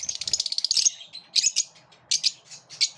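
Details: Lovebirds in a group, squabbling and repelling one another, give a rapid run of shrill, harsh chirps in the first second, then scattered bursts of raspy screeches.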